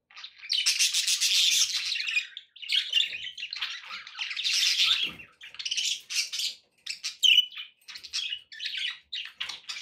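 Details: Pet budgerigars in sustained busy warbling: long scratchy chattering passages that break up into quick squeaks and chirps toward the end.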